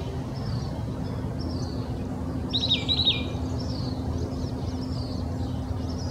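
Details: In Old Torrance, Los Angeles County, California, on January 21, 2020, an oak titmouse sings a brief burst of two or three quick, clear whistled phrases over faint chirps of other birds and steady traffic hum; Oak titmouse.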